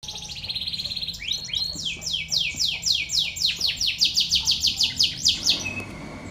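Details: Five-day-old crimson sunbird chicks begging while being fed: thin, high chirps build into a fast, steady run of short rising squeaks, roughly four per second, then stop abruptly.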